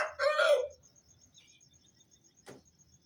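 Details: Tail of an Aseel rooster's dawn crow around 4:30 am, a short raspy phrase dropping away, followed by quiet night insects chirping steadily and a single brief click.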